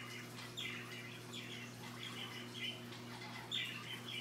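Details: A macaw playing after lunch gives four or five short, harsh, raspy squawks spaced irregularly over a few seconds, over a steady low electrical hum indoors.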